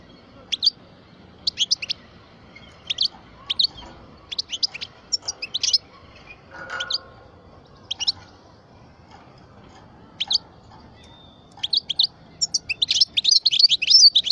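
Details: A European goldfinch, parva, aged twelve, gives scattered sharp high chips at irregular intervals, building near the end into a dense, fast tinkling twitter.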